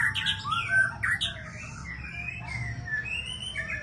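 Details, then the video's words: Champion breeding-stock white-rumped shama of the Aceh type giving a lively opening of quick varied notes, then longer thin whistles drawn out at a steady pitch. "Murai Aceh"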